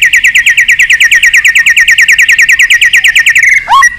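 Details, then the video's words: White-rumped shama singing to spur birds into competitive song and train their voice: a fast, even series of bright notes, about eight per second, for over three seconds, ending in a steep sliding whistle. "chòe lửa hót cực căng kích chim yếu lửa hót ,kích chim hót đấu, luyện giọng chòe lửa hót"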